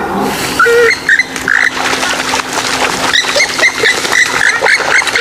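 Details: Swamphen calling: a few drawn-out, rising nasal honks, then a quick series of short squawking notes, over a faint steady hum.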